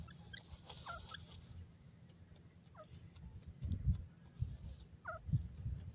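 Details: Wild pheasant calling in its natural habitat: a few short, falling, slightly nasal notes, a cluster near the start and single ones around three and five seconds, faint over steady low rumbling background noise.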